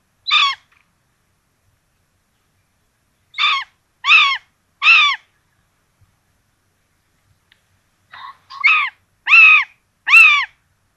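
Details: At a nest in Tiszalök, Hungary, on 26 June 2022, where a rabbit is brought as breakfast for two common buzzard chicks. Clear, hooked harmonic notes come singly, then in a run of three, then a faster run of four.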